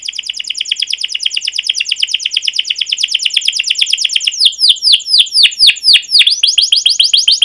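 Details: Long rolling canary song for training young birds: a fast, even, buzzy trill of closely repeated notes running several seconds, which breaks into louder, separate downward-sweeping chirps.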